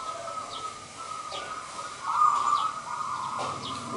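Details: Local perkutut (zebra dove) singing actively: a low, steady run of cooing notes that grows louder midway and holds, while thin high chirps from other small birds sound now and then behind it.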